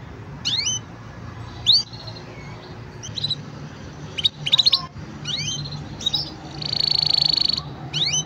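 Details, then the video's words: Green canary giving scattered short high chirps and brief whistled phrases with pauses between them, ending in a short fast trill, set against a noticeable low background hum. "Green canary bird singing"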